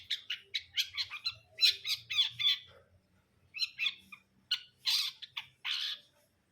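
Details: Long-tailed shrike delivering bursts of harsh, squawky notes and scratchy chatter in uneven groups, separated by short gaps, with a faint low hum in the background.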